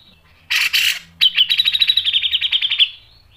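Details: Two loud harsh bursts from a grey-cheeked bulbul open this training phrase, followed by a long, sharp pulsed trill of rapid buzzy notes for about one and a half seconds, in the 'mbeset' style.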